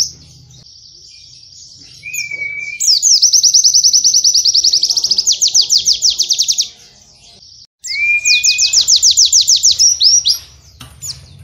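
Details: Caged white-eye training song meant to teach cage birds canary-like phrases: high rapid trilled bursts repeated several times, with a brief lower whistle before each, separated by short pauses.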